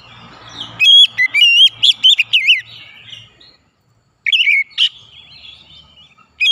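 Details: Oriental magpie-robin (kacer) song used as therapy to get stressed or silent birds singing: loud, rich whistled phrases, quick and varied, with brief pauses between bursts and a faint low hum at the start.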